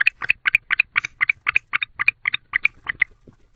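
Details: Barn owl pair together in a nest box at night, showing affection; quick string of about fifteen short, nasal twittering notes, evenly spaced, fading toward the end.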